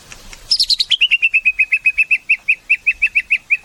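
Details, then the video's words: White-rumped shama singing: a brief bright burst of high notes, then a fast, even series of about twenty sharp, clipped notes repeated steadily at a mid-high pitch, with little background noise. "Suara Murai"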